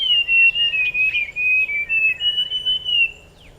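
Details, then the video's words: Forest scrub robin singing a continuous run of clear, wavering whistled notes, slurring up and down at a high pitch for about three seconds before fading. "Rouxinol da Floresta - Ouça seu lindo e misterioso canto"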